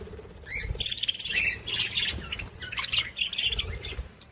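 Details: Budgerigar warble used to stimulate other budgies, continuous busy chattering of squeaks, buzzes and short whistles with almost no pauses.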